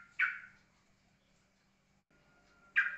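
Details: Yellow-vented bulbul in ropelan song style, called steady and calm: two strong, sharp notes about two and a half seconds apart, each starting abruptly and fading, with a thin steady tone between them and a faint background hum.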